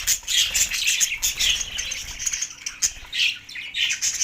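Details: Budgies in Larkana, Sindh, on March 9, 2024, busy with mating: a run of high chirrups and grating warbles, rising and falling in bursts, with a few sharp clicks.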